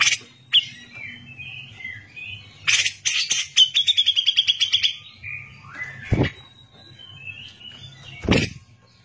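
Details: Singing grey-cheeked bulbul recorded as a master for teaching other birds: scattered whistled notes and rough bursts, then a fast chattering trill of repeated sharp notes, with two loud clicks and a soft hum behind.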